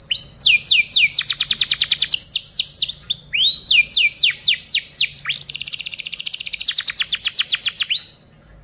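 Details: Domestic canary singing on a tutoring recording meant for other birds to learn from. Series of quick, downward-sweeping whistled notes repeat in phrases, then roll into a rapid, buzzy high trill that fades at the end.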